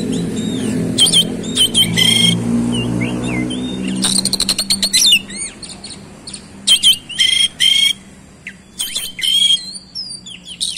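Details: Oriental magpie-robin pouring out a rich, rapid 'roll speed' song full of fills: rattling bursts, bright whistles and looping slurred notes, with a low rumbling noise early on.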